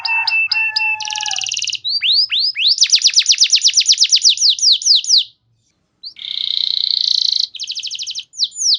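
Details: Canary singing a clear lure song meant to provoke other canaries into long, lively singing: bright upswept whistles, a buzzy trill, then rapid repeated downslurred notes in long rolls, a short pause, and another buzzy roll.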